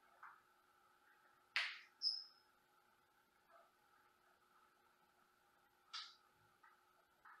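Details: Pet Senegal parrot indoors, a happy bird that also whistles and mimics: two harsh, broadband screams about four seconds apart, a clear whistled note right after the first, and faint quieter calls between them over a steady room hum.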